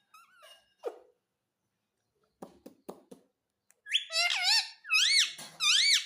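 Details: Green ringneck pet parrot that says "mummy", heard indoors; soft chirps and clicks first, then loud, rising and falling voice-like calls repeated three times near the end.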